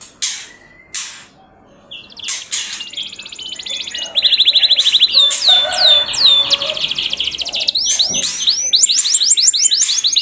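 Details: Canary song used as a lure to get canaries singing eagerly: scattered sharp chips open, then rapid buzzy trills and repeated high downward-swooping whistles run in quick succession.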